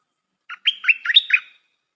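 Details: Stripe-throated bulbul, a new decoy bird used for luring, with a good singing style: one bubbly phrase of about six quick warbled notes lasting about a second, against a clean, quiet background.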